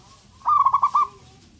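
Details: Local male zebra dove calling to stir up a rival's aggression and mating drive: a single short trilled coo made of about six quick bead-like notes in a steady run, over faint low background noise.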